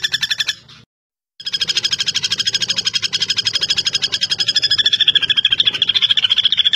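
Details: Common flameback (pelatuk bawang), kept as a tutor bird for songbird competitions: a brief rattle, a half-second gap, then a long sustained fast trill of sharp high notes that grows louder and steadier.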